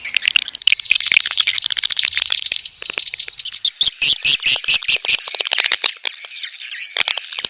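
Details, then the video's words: Mating call of edible-nest swiftlets: chattering buzzy chirps and rattles over fast irregular clicks, growing brighter and higher in the second half. "Suara Panggil Walet B1RAHI"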